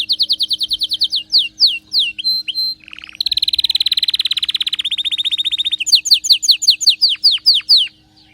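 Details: Canary in excited song. Quick repeated downslurred whistles give way to a short harsh rasp, then a long dense rolling trill, and finally more falling whistled notes in steady succession.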